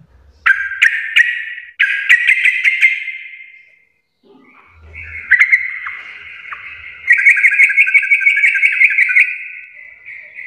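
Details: Sooty-headed bulbul in full "garuda" singing style: short repeated loud phrases, a brief pause with a low thump, then a long run of fast, rolling, chattering warbles.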